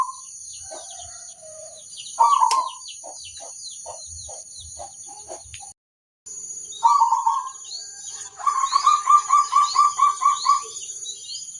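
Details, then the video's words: Local zebra dove in full song, used to lure other zebra doves into answering: short trilled cooing phrases, then a long run of rapid repeated coo notes, over a steady high whine and faint small-bird chirps. "Perkutut lokal gacor ampuh - untuk pancingan semua burung perkutut"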